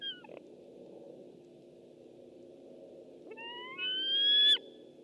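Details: White-tailed eagle, webcam recording dated 6 August 2015: the tail of one whistle dropping away, a quiet gap, then a long, steadily rising whistle that grows louder before stopping abruptly, against a constant low drone.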